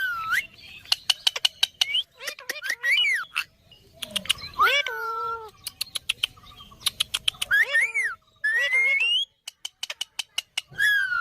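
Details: Indian ringneck parakeet kept as a pet, mixing clipped clicking bursts with drawn-out whistled and voice-like harmonic syllables that rise and fall, some sliding upward, spread across a lively, uneven stretch of chatter.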